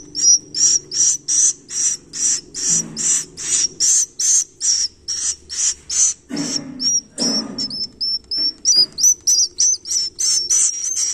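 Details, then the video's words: Swiftlet chicks give a long, regular train of loud high hissing pulses with thin whistles, about three each second; mid-way two low rushing noises intrude, then clearer slurred whistles continue to the end. "suara anak piyik burung walet"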